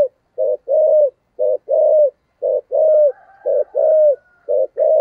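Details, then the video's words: Spotted dove cooing in the thổ sấm voice style, a thúc gù coo played to lure wild birds into calling: low, mellow coos repeated about once a second, short notes alternating with longer drawn ones, with a faint higher tone in the background. "cu gáy giọng thổ sấm thúc gù + gáy gọi bài bản"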